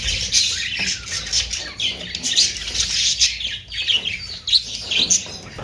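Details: Budgerigars give rapid scratchy squawks and chirps in rising and falling waves, pulses of louder calling every second or so above a low background hum.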